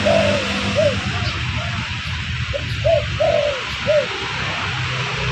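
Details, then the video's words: Lure call of a spotted dove: repeated soft coos with longer trailing notes, somewhat faint beneath a constant broad hiss and low hum. "Suara pancingan burung derkuku bakalan ampuh"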